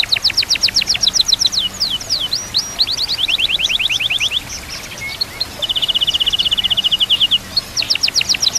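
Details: Murai batu, or white-rumped shama, in full varied song for training other birds: bursts of rapid high ticking notes, quick sweeping whistles, and a steady even trill near the end, repeated about four notes per second.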